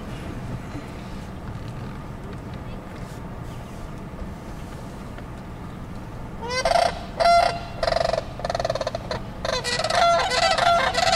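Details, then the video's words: Trumpeter swans at the Wildlife Safari Park in Gretna, Nebraska give loud, nasal, horn-like honks in short bursts, several birds calling over one another after a quiet start with low background rumble. "Trumpeter Swans!"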